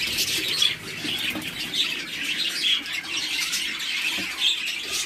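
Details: A colony of budgerigars (Melopsittacus undulatus) keeps up a dense, high-pitched twittering flock chatter with scratchy chirps.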